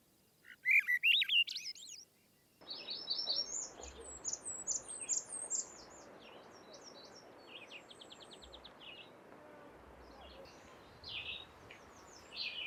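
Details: Swainson's Thrush sings a brief rising spiral of flutey whistled notes on Bonaventure Island, Quebec, in summer, where many Swainson's Thrushes sing, followed by a busy chorus of other high chirping and trilling songbirds.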